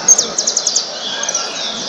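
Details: Saffron finch singing at a singing competition (roda) on 25 March 2018: a quick run of about six high, sharply down-slurred chirps, followed by softer, thinner twittering, with other birds faintly audible behind.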